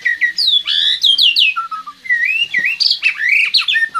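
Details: White-rumped shama, a bird from Magelang entered in an online songbird contest and kept on crickets; loud, unbroken, varied song of clear whistled notes, fast rising and falling slides and quickly changing phrases with no pauses.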